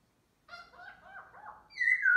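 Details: A black laughingthrush (khướu mun) sings and dances in a morning display, giving a run of rich, nasal, slurred notes that jumble together and ending on a loud, clear whistle sliding slightly downward.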